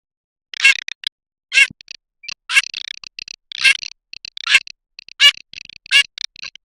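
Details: Garganey calls in a busy sequence: loud nasal rasps about every second, interleaved with crackling rattled clicks.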